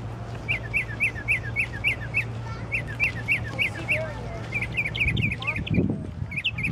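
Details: Unnamed songbird singing away in the middle of the night: quick strings of short bright chirped notes, each a small rising flick, repeated in rapid runs with brief gaps. Low rumbling thumps near the end and a steady background hum.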